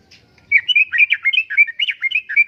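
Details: Sooty-headed bulbul in full, vigorous song, used as lure and tutor material: a lively stream of bubbly, warbling notes that rise and dip, delivered in quick uneven bursts for about two seconds after a brief quiet start.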